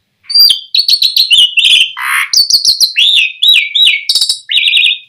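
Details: Lure song of an Asian pied starling, played to get other starlings singing: a continuous, loud string of chirps, sliding whistles and a harsh rasp, with several downward whistled slurs near the end.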